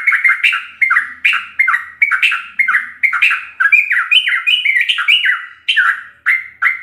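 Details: Sooty-headed bulbul delivering fast, full 'ropelan' song used to tutor caged birds: dense bursts of bubbly, slightly harsh slurred notes running almost without pause, some pairs rising, then a few spaced chirps at the end.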